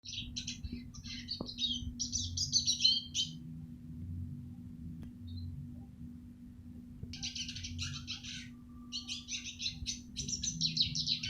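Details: Eurasian siskin song recorded for training other songbirds: bursts of rapid, high twittering and buzzy chirps, a pause of several seconds, then another long twittering run, over a steady low hum.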